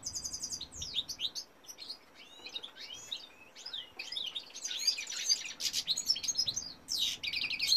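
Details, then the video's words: European goldfinch male singing a varied, sparkling medley of quick whistled slurs, rattling trills and high tinkling notes, growing louder and denser toward the end. "goldfinch cock singing"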